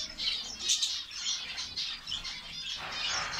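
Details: High, squeaky chirping from a finch colony in Saudi Arabia, with quick repeated notes from several birds at once and a steady, dense flow of sound.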